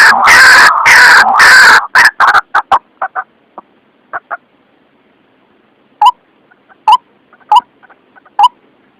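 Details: White-breasted waterhen lure call for trapping birds: a dense harsh burst of calls at first, then sparse, clipped single notes spaced out over quiet pauses.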